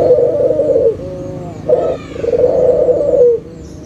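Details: Local Barbary dove used as a lure to make silent doves call again: a long rolling low coo, a brief short note, then another drawn-out vibrating coo that falls at the end, over faint background hum.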